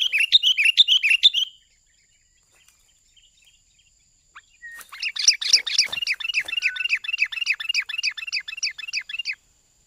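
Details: Sooty-headed bulbul lure call, used to attract birds and as master sound: a rapid burst of bright chirps, a pause, then a long run of quick, even, bubbling chirped notes repeated about twice each second.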